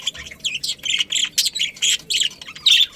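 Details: Rapid budgerigar chatter in a breeding colony: a quick string of bright, warbling squeaks and chirps, roughly evenly spaced, ending in one louder, harsher call.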